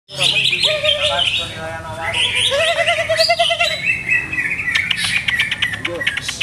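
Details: Caged greater green leafbird whose keeper is still testing its conditioning: a rich run of whistled notes, with loud sweeping phrases high up and a wavering lower trill mid-clip, over a steady low hum.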